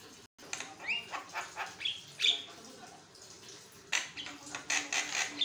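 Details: Javan myna in continuous song for training other birds; rising whistles and a sharp squeal amid repeated harsh rasping bursts, ending in loud noisy chatter.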